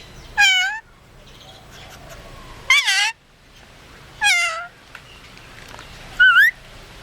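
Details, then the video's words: Pet red-collared lorikeet, which also says 'bless you' after sneezing, imitating a cat: four short meows about every two seconds, each a bright, harmonic note that bends and falls in pitch, over quiet room hiss. "Bird says 'Bless You' after sneezing"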